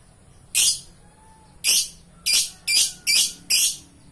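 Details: Lovebird calling in lively gacor form: six loud, shrill, harsh chirps, each short and buzzy, spaced about half a second to a second apart, over a quiet background hum.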